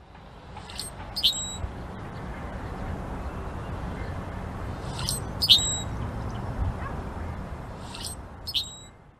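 A blackbird gives three short, sharp, high chirps spaced several seconds apart over a steady low background rumble.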